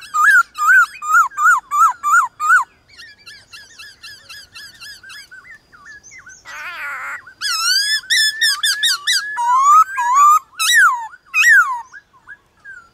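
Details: White-cheeked laughingthrush singing against wild laughingthrushes in the morning: a fast run of repeated wavy whistles, then softer chattering notes, a brief harsh burst, and a lively stretch of loud, varied, swooping whistles.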